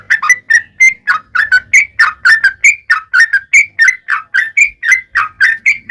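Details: Steady yellow-vented bulbul song, used to coax other bulbuls into singing: evenly spaced bubbly notes, roughly four per second, each a quick slurred chirp, with faint low background noise.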